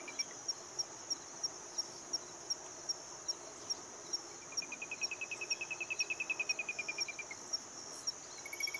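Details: An Olive-crowned Crescentchest (Melanopareia maximiliani argentina) sings a fast, even series of mid-pitched notes for about three seconds, then starts again; a cricket ticks steadily throughout.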